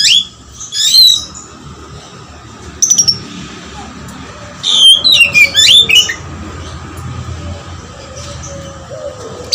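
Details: Oriental magpie-robin in intense song with lovebird material: a short high whistled phrase early on, then a cluster of rapid, chattering, high squeaky notes about halfway through, with quiet gaps and faint low background murmur.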